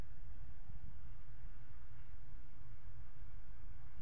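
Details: Nothing but a constant low rumbling background noise is heard, with no animal sounds.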